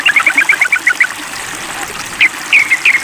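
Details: Sooty-headed bulbul calling a rival: a fast run of about ten bright chattering notes, a pause, then three louder, slurred notes, with a faint hiss underneath.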